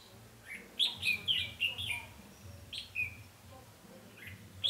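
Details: Red-whiskered bulbul decoy luring wild birds in a trap, 20 November 2015: loud, rapid, liquid warbling phrases of bright falling whistles, a short break, then further chirpy notes, with a low rumbling background.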